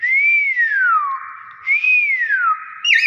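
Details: A tame Nias hill myna (Gracula robusta) gives two clear, human-like whistles, each rising slightly then sliding down, followed by a brief wavering note.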